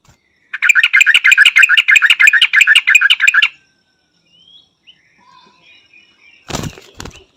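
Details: White-faced bulbul, a bird of humid forest, evergreen woods and mountains in Thailand: a fast chattering burst of ringing, bell-like notes for about three seconds, then quiet with a few soft taps and one loud thump.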